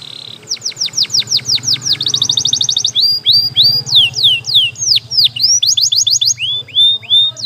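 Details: Canary training song of repeated downward-sweeping whistles, a quick trill and looping slurred notes over a constant background murmur and low hum.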